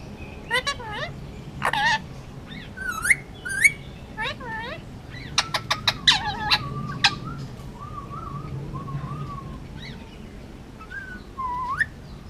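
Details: Pet male Indian ringneck, almost two years old, hand-raised in Hawaii, mixing harsh nasal squawks and sharp clicks with wavering, speech-like warbled notes that trail off into softer whistles.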